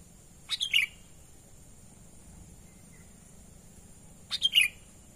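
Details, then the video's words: Sooty-headed bulbul calling naturally, as used for luring wild birds: two short bubbly three-note phrases about four seconds apart, each a sharp chip then falling liquid whistles, quiet hiss between. "pikat burung kutilang suara alami"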